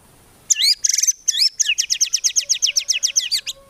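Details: White-rumped shama (murai batu) in full energetic song, rich in 'tembakan' shot fills with no 'ngukluk' low notes: after brief silence, a burst of high whistles, then a fast run of about fifteen rapid, identical rising sweeping notes.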